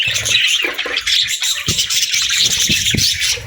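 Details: Pet budgerigars chirping and chattering in a dense, continuous high warble, with scattered sharp clicks and a few louder squawky notes throughout.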